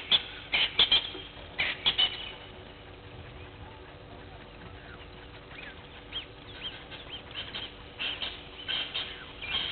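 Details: Blacksmith lapwing calling at 06:45 on 03/02/21 beside Gowrie dam waterhole, Djuma Game Reserve, Sabi Sand Wildtuin, South Africa, on a live camera: loud clipped metallic notes in quick bursts at the start, then fainter scattered clinks and other small bird notes.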